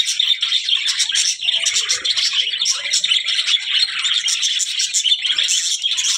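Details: Budgerigar calls: a dense, continuous stream of high, scratchy chirps and warbles with no pauses, sounding like several birds chattering at once.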